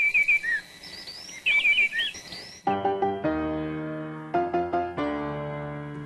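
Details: A wood wren sings short, clear whistled phrases of a few rising and falling notes for about two seconds, likened to Beethoven's Fifth, then orchestral music takes over.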